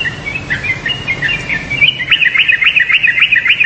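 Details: Yellow-vented bulbul chattering: slightly softer, jumbled chirps at first, then a louder, more regular run of sharp, dropping notes, roughly three or four per second, over a quiet background.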